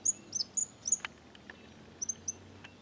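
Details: Song of a small flock of cattle tyrants in Bahia's sertão: a quick series of piercing, high, squeaky notes, then a pause and three more, with a few short clicks in between.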